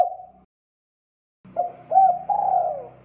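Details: Spotted dove singing in the persistent 'gacor' style used to train young birds: a short coo, a pause, then a phrase of clipped notes into a drawn-out hoarse coo over a steady low electrical hum.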